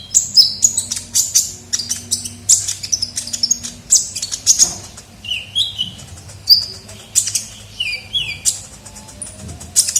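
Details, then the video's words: Lure recording of the ninja sunbird (kolibri ninja): a ten-second run of scratchy high twitters, a few sliding lower whistles near the end, with a faint low hum throughout. "pikat suara burung kolibri ninja gacor"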